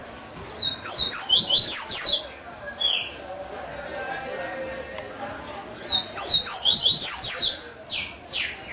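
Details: Captive-bred Double-collared seedeater singing two bursts of quick, high, clear whistled and twittering notes, separated by a few seconds of soft background hiss.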